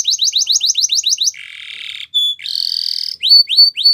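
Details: Singing canary: a row of quick downslurred notes, a low buzzy rolling tour, a short pure whistle, a bright rising trill, then upsweeping notes.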